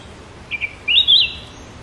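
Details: Sooty-headed bulbul singing: a brief, clear whistled phrase, two short notes followed by a longer, slightly wavering whistle, against quiet background noise.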